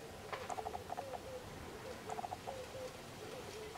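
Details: Wild grey parrots give two quick bouts of clipped, clicking notes mixed with short, mellow whistles that slur downward, about a second and a half apart.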